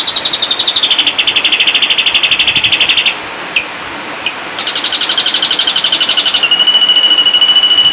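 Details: Ashy drongo song used as a master recording for training songbirds: long loud buzzy trills of rapidly repeated notes, held for several seconds, pausing briefly, then resuming at a slightly different pitch.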